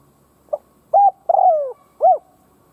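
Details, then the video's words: Spotted dove used as a decoy, cooing to stir up rival doves. One full phrase: a soft short note, a clipped coo, a long drawn-out falling coo, then a final rounded coo. All low and mellow, in a quiet setting. "Cu mồi gáy kích bổi chuẩn"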